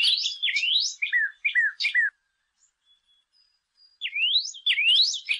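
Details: Saffron finch song with upward-sweeping slurred whistles and a quick run of descending chirps, a pause of about two seconds, then more rising slurred phrases; no other sounds.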